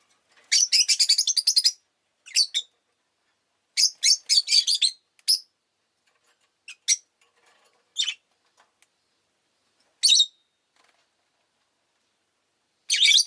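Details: Pet rosy-faced lovebirds, several birds calling freely on a lively day, give harsh, buzzy high chirps in dense rapid bursts. Long clusters alternate with single sharp notes and short silent gaps.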